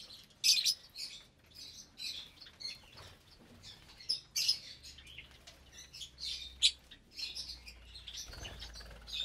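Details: Lovebirds at meal time in a cage of about 25 birds, with parblue, euwing, opaline, lutino and albino colour forms, some raising chicks: sharp high chirps and squeaks from several birds, with wing flutters and rustling in between.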